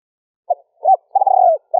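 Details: Female spotted dove cooing to draw males into calling: a soft brief note, a swelling hollow coo, then a long trembling coo, ending on the start of another note.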